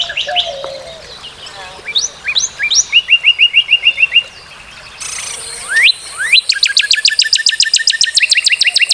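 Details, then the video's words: Northern cardinal song from North America: scattered slurred whistles leading into a quick even trill, then a longer, very rapid run of sharp repeated notes after a brief break. "Cardinal:Découvrir le chant et la beauté du Cardinal du Nord"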